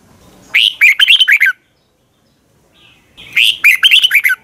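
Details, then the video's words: Red-whiskered bulbul singing a morning training song in the long twisted double-voice style, recorded in 2020: two loud bursts of rapid, slurred warbling notes about a second long each, separated by a silent pause. "Luyện chào mào hót sáng 2020 Giọng kép xoắn dài"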